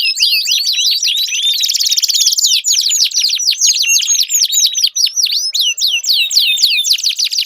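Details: Canary song for prompting a non-singing canary: a pulsing rolling trill under scattered sharp whistles, followed by sequences of looping, slurred notes and short buzzy rolls, loud and continuous.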